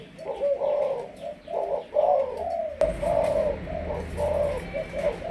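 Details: Spotted dove from Malaysia, 'sấm thổ' decoy bird, giving a continuous run of low gurgling coos in evenly spaced groups, interrupted once by a sharp click midway.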